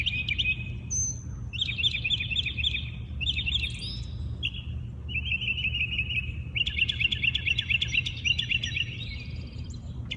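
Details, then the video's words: Several wild birds singing in the early morning in their natural habitat: bright, rapid trills and chattering phrases overlap almost continuously, with a short high whistle near the start, over a steady low rumble of background noise. "Listen to the birds sing"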